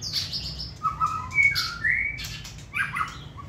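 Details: Hand-tamed white-rumped shama bred for singing contests delivers a quick run of varied notes: high thin whistles, lower rich warbles and bright rising slurs, each phrase short and changing in pitch.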